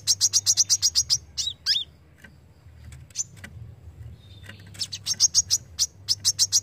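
Brown-throated sunbird giving fast, sharp, high chipping notes, about four a second, in bursts broken by a few quick slurred whistles; faint low hum underneath.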